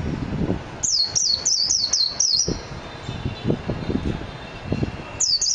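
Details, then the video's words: Japanese white-eye (mejiro) song: six sharp, high, downward-sweeping chirps delivered evenly over under two seconds, a pause with low thumps and knocks in the background, then one more chirp at the end. "تغريد طائر ابيض العين الياباني ميجيرو"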